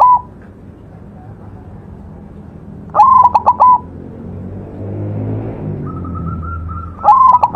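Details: White zebra dove on a training master track, singing vigorously. A stuttering coo phrase of quick clipped notes is followed by a pause, then a plain level whistle, then another phrase beginning at the end.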